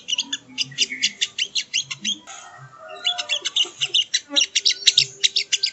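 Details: Training audio of a sogon (sogo ontong): quick high chips in rhythmic bursts, a brief softer gap, then renewed rapid twittering with sharp accents.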